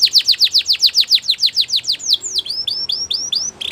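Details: Belgian canary delivering a steady series of loud falling whistled sweeps, about four per second, followed by softer, shorter rising slurs.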